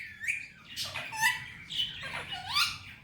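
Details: Pet male Indian ringneck parakeet talking, phrases said to be "Mitthu bete" and "Miya Mithu"; warbling, speech-like syllables with rising and falling squeaky tones, several short phrases over a few seconds.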